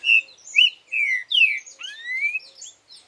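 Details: Four-note 'boi' song of a green-winged saltator: clear whistled notes, each sliding down in pitch, delivered quickly, then closed by a drawn-out upward-slurred whistle; a soft low tick sounds at intervals underneath.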